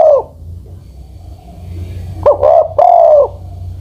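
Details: Aged spotted dove decoy over ten years old, the tail of one coo, a pause, then a single phrase of a short clipped note and two mellow, slightly falling coos over faint low hum.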